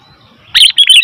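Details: Noisy calling of a sooty-headed bulbul: after near silence, a short burst of bright, chattering notes, two rapid clusters with a quick squeaky twist at the end.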